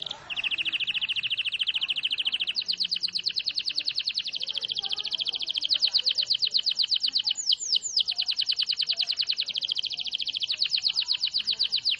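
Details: Canary, a small songbird about 17 cm long, singing a loud sustained trill: a steady high whistled note, then a long fast rattle of rapidly repeated notes with brief sweeping flourishes near the middle.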